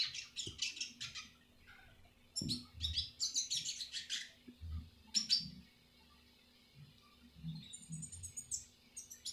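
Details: Bursts of high, scratchy twittering from a red siskin, recorded as a tutor song for other birds, separated by quiet gaps, ending in thin high whistled notes, with soft low knocks.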